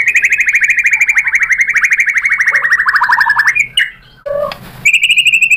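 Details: Singing white-rumped shama meant to provoke rivals into answering: a long rapid trill of repeated notes slowly falling in pitch, a brief pause with a low whistle, then the fast trill resumes.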